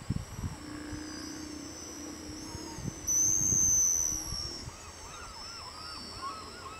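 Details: Pigeon guillemots giving high-pitched whistle calls: a loud, thin, drawn-out whistle held for about a second midway, with fainter whistles around it. Low rough breathing and scattered lower curved notes run underneath.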